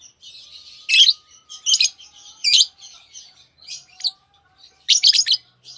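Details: Steady soft twittering from lovebirds, broken by loud shrill chirps roughly every second, some doubled, with a faint low hum behind.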